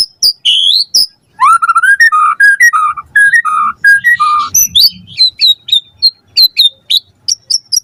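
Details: White-rumped shama in full lure song meant to prompt a reply: low mellow whistled notes around mid pitch, then quick high thin repeated whistles and sharp chips, varied phrasing throughout, faint low rumble in places.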